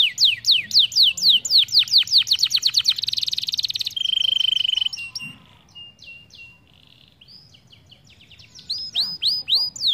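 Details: Training song for young canaries learning to roll: fast descending sweeps accelerating into a buzzy trill, then a steady whistled tone, a quiet gap with soft notes, and renewed sweeps at the end.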